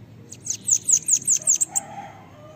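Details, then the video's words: Sibite (bananaquit) training song: a fast sequence of about seven thin, very high, slightly buzzy notes delivered in roughly a second, with a low murmur and faint lower sounds behind. "CANTO LINDO DEMAIS PARA ENCARTE DE SIBITE CAMBACICA"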